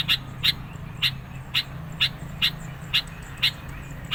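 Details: Sooty-headed bulbul song intended to draw in birds and challenge rivals, here a steady run of sharp chip notes roughly every half second, with a constant low rumble underneath.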